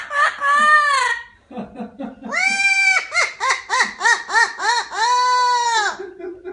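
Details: Parrot imitating human laughter: a drawn-out harmonic note, then a rapid run of about seven arched, nasal 'ha' syllables, roughly three per second, closing on a long sustained note and a lower murmur.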